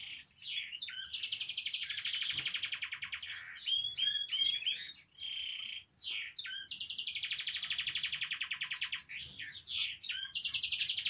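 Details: Canary in full song: fast rattling trills rolled in long even bursts, broken by sharp up-and-down whistled notes and quick chirps, nearly continuous with only brief pauses.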